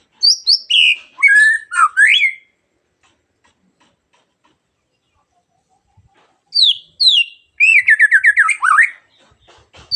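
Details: Morning song of a magpie-robin that sets other birds singing: two bursts of sweet whistled notes and fast rattling trills, a first burst of about two seconds, then a gap of roughly four seconds before a longer second burst.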